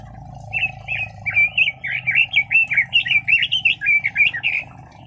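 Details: Song of a red-billed leiothrix: a rapid, rollicking phrase of short, slurred whistled notes, each bouncing up and down, lasting about four seconds over a constant low droning hum.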